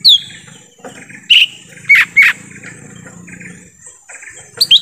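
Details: Lesser green leafbird calls in forest, used as a lure to attract wild birds: short loud whistled notes sliding down, some doubled, separated by quieter gaps with faint background hum.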